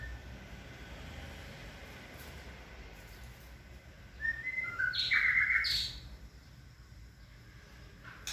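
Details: White-rumped shama, male and female being introduced to each other: after a quiet stretch, a short burst of clear whistled notes, some steady and some sliding, over a constant low hum.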